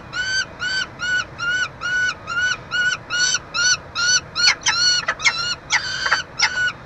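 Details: Peregrine falcon chick feeding at a nestbox in Montreal, Canada, 22 June 2023; a fast train of short, buzzy, harmonic squeals about twice per second, growing louder and more crowded with clipped sharp notes near the end.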